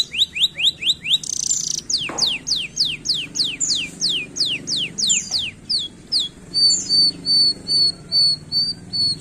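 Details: Canary singing, used to encourage lazy canaries: quick descending whistled sweeps, a short harsh buzz, then a long rhythmic series of falling notes and finally level high piping notes repeated about twice a second.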